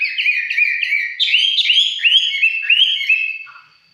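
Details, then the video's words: Red-whiskered bulbul singing up close: a flowing series of warbled whistles, rising and falling slurs running together for about three seconds, then fading out. "Cận cảnh mộc chiến., hót chơi"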